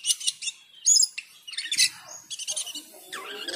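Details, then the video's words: Cucak keling singing loudly on hearing the call to prayer: dense, scratchy chattering phrases mixed with sharp whistles, packed closely with only short gaps. "Cucak keling teler gacor full isian saat mendengar adzan."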